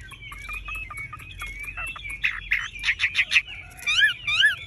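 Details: Caged tame Chinese hwamei, yellow in leg, bill and plumage, singing nonstop: soft wavering whistles building into loud choppy repeated notes, ending with paired looping whistled phrases.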